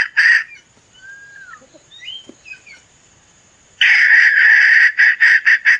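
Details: Hen gives one harsh note, then a quiet stretch with faint thin whistles from other birds, followed by a loud drawn-out rasping call and a string of short clucks.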